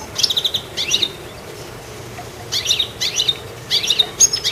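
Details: Chirpy goldfinch up in a treetop, giving short clusters of bright, high twittering notes at irregular intervals, with brief quiet gaps between them.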